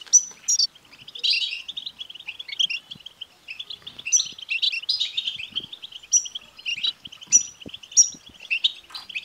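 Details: European goldfinch twittering, the song style called batbata, played to stimulate a caged male goldfinch to sing: a dense, continuous stream of high, buzzy chirps and trills, with sharp, bright whistled notes breaking in roughly every second.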